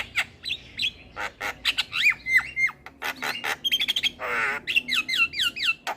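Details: Javan myna in varied full song for tutoring and prompting lazy mynas: rapid squawks, clicks and down-slurred whistles, a short harsh rasp midway, then repeated bouncing whistled notes.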